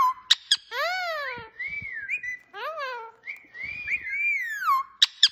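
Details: Talking parrot indoors producing a run of whistles and sliding, voice-like harmonic phrases, rising and falling, broken by sharp clicks near the start and end.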